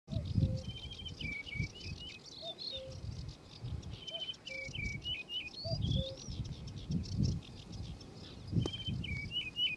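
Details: Singing male yellow-breasted bunting gives short bright whistled phrases of rising and falling notes, repeated about every two seconds. Soft low hoots from another bird recur beneath it, over a low rumbling background.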